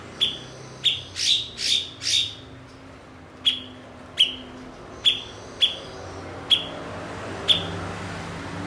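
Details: Cucak cungkok, or blue-winged leafbird, a skilled imitator of other species used as a tutor bird for songbird keepers: a quick run of harsh rasping bursts, then spaced single sharp chips that drop in pitch, about one per second.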